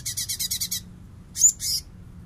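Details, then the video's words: Cungkok or light-vented bulbul bessetan, used to teach other songbirds: a fast buzzy pulsed trill of about seven beats, a pause, then two louder harsh squeaky bursts. "CUNGKOK FULL BESSETAN!!! MASTERAN BURUNG KESAYANGAN ANDA"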